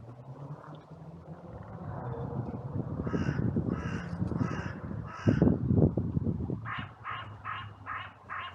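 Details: Crows calling in a cemetery on a sunny day, trail-camera recording, during an outcry after two crows fought. A heavy low rumble comes first, then a run of short, evenly spaced harsh caws grows clearer toward the end.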